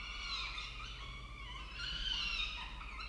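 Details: Peregrine falcon at a nest in Orange, Australia, as the male delivers food; drawn-out, harmonic wailing calls that rise and fall, one long call then another after a short pause, over a steady low hum.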